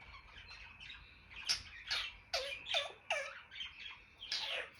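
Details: Pet African grey parrot indoors giving rapid squealing chirps, a quick run of rising and falling whistled squeaks several times a second, with a faint steady electronic-like tone underneath.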